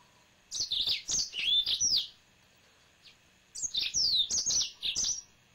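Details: Pet male yellow-fronted canary sings two lively phrases of fast, high chirps and downslurred whistles, about a second apart.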